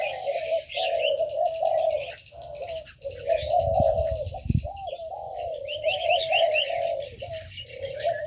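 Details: In an aviary, rhythmic low coos repeat in phrases of about a second, joined by bright high twitters and rapid trills, with a couple of soft thumps partway through.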